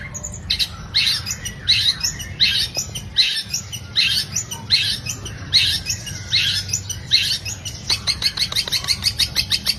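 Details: Long-tailed shrike song used as a lure to make other birds sing: rapid series of harsh, buzzy, high chattering bursts repeated about once a second, quickening into fast clicking notes near the end.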